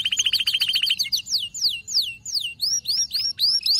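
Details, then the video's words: Aroused male canary: a quick chattering trill gives way to slow, widely spaced, clear whistled notes, each sweeping down, then arched high notes repeated about every half second. "هيجان ذكرى كناري سيجبر كناريك على التغريد فورا"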